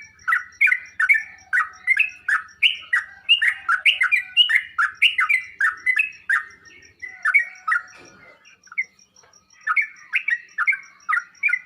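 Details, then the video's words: Sooty-headed bulbul song used to coax caged birds into answering: a long, busy sequence of sharp, downslurred chirps and short warbles, pausing briefly before resuming at the end. "Burung trucuk anda bakal nyaut dan ngropel seketika saat di masteri dengan suara trucuk ini"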